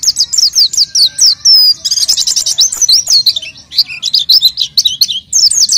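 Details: High, tumbling twitter of an oriental white-eye, a gacor lure for untrained birds, with a brief clear whistle and a buzzy, dense passage before more rapid chips.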